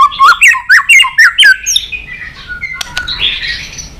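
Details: White-rumped shama with tail flicking, switching voices in its song: six loud, sharply slurred whistles in quick succession, each about a quarter second apart, then softer trailing notes and a hushed, rough warble.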